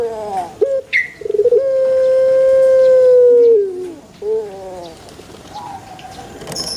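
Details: Male Barbary dove, used to get kept doves calling: a brief stuttering lead-in runs into a drawn-out, even hoot lasting about two seconds and dropping in pitch as it fades, followed by softer trailing notes.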